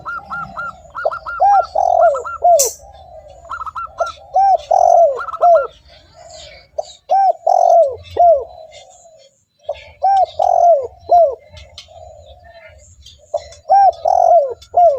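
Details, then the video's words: Spotted dove calling persistently, a call used as a lure for wild doves: loud hooked coos in threes, each followed by a softer drawn-out purr, with brief pauses. Faint distant coos and high chirps from other birds sound behind. "TEKUKUR GACOR 💯 Ampuh untuk pancingan burung tekukur bahan"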